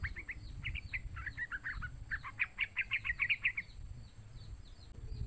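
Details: Young yellow-vented bulbul calling, used to lure other bulbuls into calling: a rapid chattering series of short chirps near 2k, quickening and brighter toward the end, over steady low background noise.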